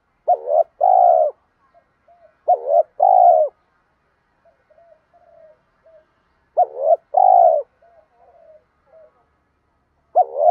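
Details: Spotted dove coos, male and female, used in training caged birds to call; three spaced phrases of a brief two-part note plus a drawn-out hoot, with faint soft murmuring in the pauses.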